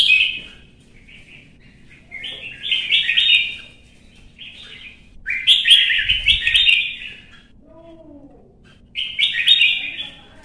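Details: Red-whiskered bulbul, a caged bird stirred to sing against rivals: several spaced bursts of vigorous chattering whistles, each about a second long, with quiet gaps and a faint soft low sound between.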